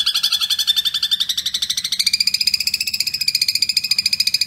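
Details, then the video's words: A long-tailed shrike gives a fast, buzzy, rattling trill of about ten pulses a second, high-pitched and drifting slightly upward, with no other sounds; the recording serves as tutor audio for training cage birds. "Cendet Kuntilanak Sambung Gereja Tarung Speed Rapat"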